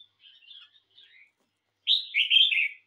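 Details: Red-whiskered bulbul kept at home, singing in a song competition: soft scattered chattering notes, a pause, then a loud bright warbled phrase of rolling, slurred notes lasting about a second.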